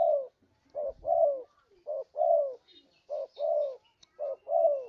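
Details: Spotted dove trapping lure sound: steady two-part coos, each a clipped note and then a drawn-out falling croon, repeating roughly every second. A soft low thump is heard early on.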